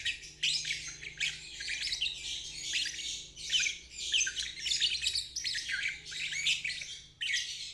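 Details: Lovebird trilling (ngeriwik), a therapy recording for stalled birds or young birds learning; dense buzzy high chatter in bursts about a second long, separated by brief gaps.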